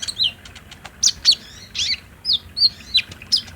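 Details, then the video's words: Sunbird calling as a daytime lure for a kept bird to respond: spaced, high, squeaky slurred notes and sharp chirps, roughly one each half second, with soft background hiss. "PALING JITU BIKIN KOLIBRI NINJA IJOAN CEPAT NYAUT | PANCINGAN KONIN TROTOL AGAR BUNYI DAN GACOR"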